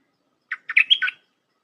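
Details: Red-whiskered bulbul's 'dok taeng' style song, meant for tutoring hand-reared young birds: one short phrase of five quick, liquid notes, the middle ones rising and bending into a clear whistle.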